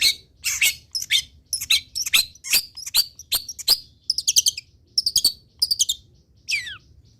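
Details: Long-tailed shrike song meant for training other songbirds: a rapid run of sharp, scratchy chirps and trills, ending in a long downward-sliding whistle, over faint low hum.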